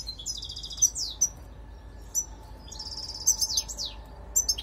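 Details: European goldfinch calling: bright, high tinkling twitters and quick liquid phrases in two bursts, with sharp single chips between them and a steady low background hiss.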